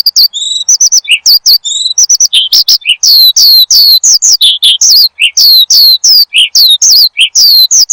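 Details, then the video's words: Branjangan (Oriental skylark) song as lure for cage birds, opening with clean paired whistles, then fast varied chirps and sharp downward slurs in quick succession. "Kicau Burung BRANJANGAN Gacor, Untuk Pancingan Dan Masteran"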